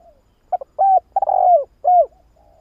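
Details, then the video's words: Spotted dove (Streptopelia chinensis) giving a soft, hollow cooing phrase: a short note, then several mellow, slightly falling coos over about two seconds. "Tiếng chim cu gáy"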